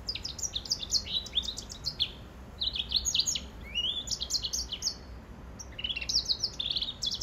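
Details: Mule from yellow-fronted canary and grey singing finch crosses sings a long, lively warble of rapid high chirps, slurred whistles and trills, with brief pauses between phrases.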